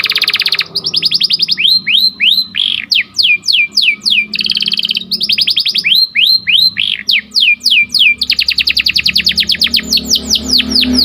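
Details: Atlantic canary, sharp rolling song used to train and excite breeding canaries: repeated phrases of swooping whistled notes and rapid rolls, joined with abrupt cuts, ending in a long fast trill.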